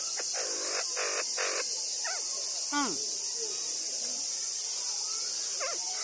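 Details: A captive copper pheasant at Omiya Park small zoo in Saitama, Japan, answers a person's voice with a few short squealing notes dropping sharply in pitch. It habitually calls "un, un" and responds to people. A steady insect hiss runs throughout.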